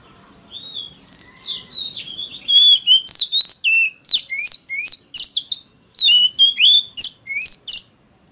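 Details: Very loud Oriental magpie-robin challenge song, wild-style, used to lure rival males: soft warbling at first, then a rapid sequence of bright whistled slurs and chips in short bursts, with a brief pause midway.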